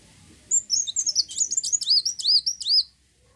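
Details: Olive-backed sunbird, called kolibri wulung, singing energetically to coax other birds to sing: a continuous two-and-a-half-second rattle of very high, swooping whistles that grow into repeated downward-arching notes.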